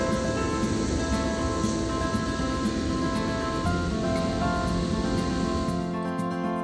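Steady instrumental music over a wash of noise, with no animal calls heard.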